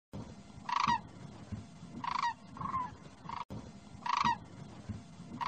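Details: A demoiselle crane (Anthropoides virgo) gives harsh, rolling trumpet-like calls, repeated every second or two.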